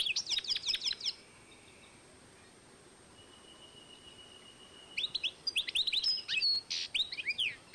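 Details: 2012 recording of a European goldfinch crossed with a canary: a fast high trill opens, then a long near-silent gap with a faint steady tone, before lively twittering and chirping song resumes.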